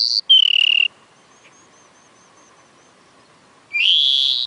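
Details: Oriental magpie-robin song fragment: a high note, then a level whistled tone with a rough edge. After a quiet gap comes a rising buzzy slur.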